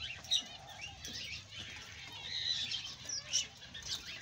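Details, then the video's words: Male Australian budgie warbling a soft, chattering medley of high chirps and short whistled notes, with faint wing flutters and a quiet background. "BEAUTIFUL AUSTRALIAN BUDGIE PARROT MALE"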